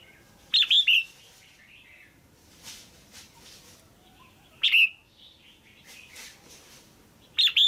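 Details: Caged female red-whiskered bulbul calling to stimulate a male or for pairing: short loud chirping bursts at about 0.6, 4.7 and 7.5 seconds, with soft faint notes between, in a quiet setting.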